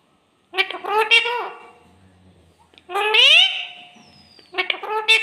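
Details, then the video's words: Pet parrot talking in a clear voice, said to be asking for roti: three separate nasal, harmonic phrases. Two short choppy bursts, then a longer rising-and-held phrase, then another clipped burst, with quiet gaps and faint low hum between. "A Mummy Mithu ko Roti Do Clear Voice"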